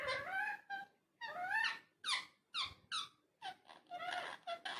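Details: Talking parrot in a small room, uttering a run of rising and falling tonal, voice-like syllables in quick phrases with brief gaps, some notes sliding upward like whistled words.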